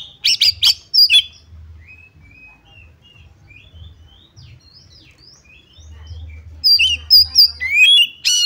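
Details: Oriental magpie-robin song used to provoke a rival into fighting; sharp loud notes at the start, a long series of soft rising whistles, then a lively closing flurry of high, slurred phrases.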